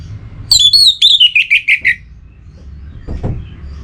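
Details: Caged orange-headed thrush in breeding condition, calling a rival: a descending series of bright whistled notes lasting about a second and a half, followed by a dull knock or thump.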